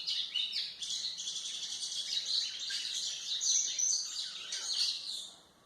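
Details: White-throated seedeater singing a song meant for training young birds: rapid, high, jumbled chirps and trills flow without pause for over five seconds, then fade at the end.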